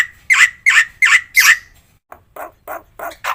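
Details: Black-winged myna performing a varied training song meant to set other mynas singing: four loud, buzzy screeching calls about every third of a second, then softer, evenly spaced harsh notes.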